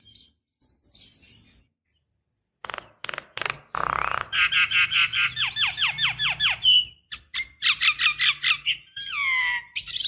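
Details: Female Javan myna calling a male, used as a decoy: a high thin hiss, then sharp clicks and a rapid run of short downslurred whistles about six per second, with squawks and a falling whistle at the end.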